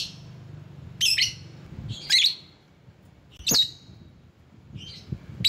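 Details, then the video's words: Lovebird calling as a lure to draw rivals, giving harsh, high squawky chirps in short bursts with gaps between, over a faint low hum. "Burung LOVEBIRD Ampuh memanggil lawan"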